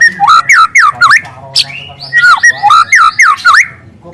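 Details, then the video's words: Free-living speckled young white-rumped shama singing in canary style: fast slurred whistles swoop up and down in quick bouncing phrases, with a short pause before the series resumes. "Suara asli murai lepas trotol dengan tembakan kenari panjang dan keras"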